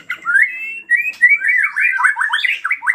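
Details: White-rumped shama whose provoking song is used to make other shamas sing; clear whistled notes leading into a run of quick, jerky slurred phrases that rise and fall.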